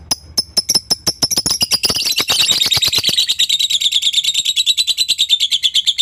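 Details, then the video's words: Long lovebird chatter, called ngekek, used to provoke a rival's reply; scattered clicks speed up into an unbroken, high-pitched rattling trill that holds steady for the last four seconds. "suara burung Lovebird pasti gacor, pancingan emosi lawan cepat nyaut ngekek"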